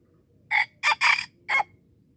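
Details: Red junglefowl in Darul Kamal, Aceh, during luring (mikat): one short, harsh crow in four bursts over about a second, with the second pair nearly joined and the last set apart, against a quiet background.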